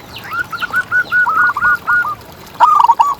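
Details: Zebra dove used as a tutor to provoke rivals and raise breeding desire. A busy run of clipped rolling coos is followed by a short loud stuttered phrase near the end.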